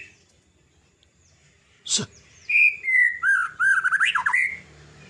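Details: White-rumped shama singing in the ngelowo style: a sharp click, then a run of clear whistled notes, some sliding and some quick and warbled, lasting about two and a half seconds.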